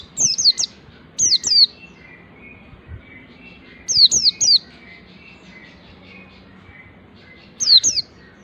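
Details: Ngalas-style white-eye song while learning nembak: four bursts of two or three high, sharp, down-slurred notes, separated by pauses of one to three seconds, with soft background twittering.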